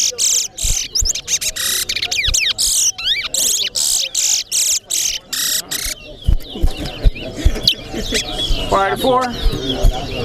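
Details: Large-billed seed finch, known locally as towa towa, competing in a Corriverton singing contest. It gives rapid, bright whistled notes and trills for about five seconds, then crowd chatter and talk take over.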